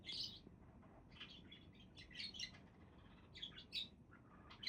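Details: Budgerigars chirping: short scratchy chirps and warbles in scattered bursts, with quiet gaps and a low background hum.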